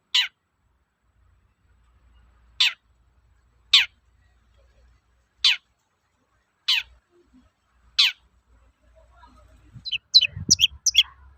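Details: Long-tailed shrike toet-toet call, used to goad untrained shrikes into singing: six sharp, falling notes spaced about a second apart, then a quick jumble of thin, high chips at the end.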